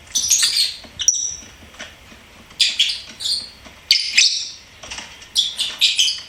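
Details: Pet lovebird singing and chirping: dense, high, squeaky twittering in repeated short bursts, each under a second, with brief silences between, busiest near the end.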